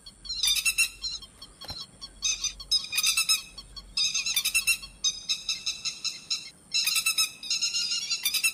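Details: Grey-headed lapwing calls used to lure birds into nets at night: shrill, clipped notes in rapid clusters, repeated in bursts roughly every second or two, with a faint steady high tone in the background.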